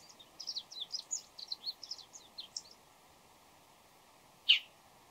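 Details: Bull-headed shrike before dawn, singing in varied voices: a quick run of high, thin twittering notes for nearly three seconds, then a pause and one loud, sharp call near the end, over a steady low background hiss.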